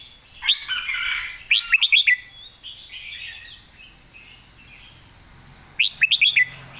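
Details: Red-whiskered bulbul's master song in the 'golden phrasing' style: two matching phrases of five quick bright whistled notes each, about five seconds apart, with soft warbling between and a constant high hiss.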